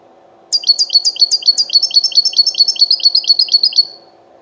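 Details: Singing wild European goldfinch, 'betbeta' style: following a short pause, a long chain of crisp high twittering notes runs quickly and regularly for over three seconds, tapering off at the end.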